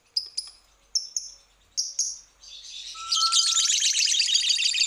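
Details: Lovebird on a lure recording to make birds sing: a few sharp high paired chirps, then a long dense chattering trill that starts partway through.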